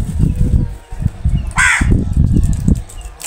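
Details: Crows feeding together in a group: one short, harsh, buzzy caw rises out midway, set against constant low thumping of flapping wings and scuffling movement.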